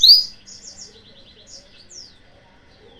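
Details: Yellow-fronted canary lure song for provoking rivals: one sharp, high, loud phrase of rising notes, then fading soft trills and a few thin slurred whistles.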